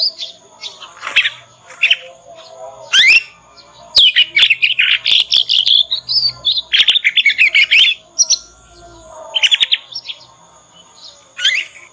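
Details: Young Yorkshire canary learning the ngriwik sound, played to make other canaries respond and learn faster; long continuous warbling with sweeping whistles, rapid rattling trills and clicks, loud and varied throughout twelve seconds.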